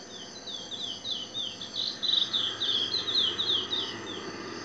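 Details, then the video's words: Chestnut-bellied seed finch (curió pardo) singing in natural habitat: a quick, continuous run of high, slurred whistled notes, about three per second, over a faint steady hiss. "Curió pardo"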